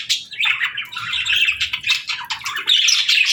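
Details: Parakeets warbling in a busy, chattering chorus, short chirps piled on top of each other and swelling in bursts.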